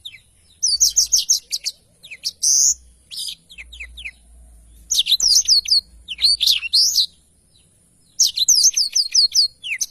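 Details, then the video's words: Black-throated canary song used as a tutor for other songbirds, delivered as clusters of rapid repeated high notes and slurred whistles separated by clear pauses. "blacktroath gacor cocok untuk masteran"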